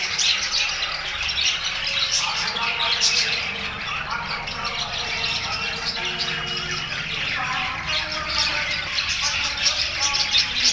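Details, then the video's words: A group of budgerigars chattering together, a continuous dense wash of overlapping squawks, chirps and warbles with no pauses, loud and steady throughout. "buggies parrot groups"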